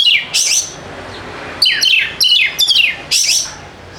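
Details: Lure song of a White-rumped shama, meant to prompt silent birds to sing: loud, sharply falling whistled notes in separate bursts with brief gaps, ending in a high ringing note.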